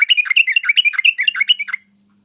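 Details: Sooty-headed bulbul song in the lively 'uplik uplik tarong ropel tajam' style, used as a lure to make other bulbuls answer: a fast run of about fourteen chirpy, bubbling notes packed into under two seconds, then silence.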